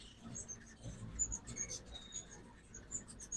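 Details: Ruby-throated hummingbirds at a backyard feeder in Oxford, Mississippi, on a fall migration morning: rapid, very high, thin chips scattered across the clip, several birds overlapping, over a low rumbling background.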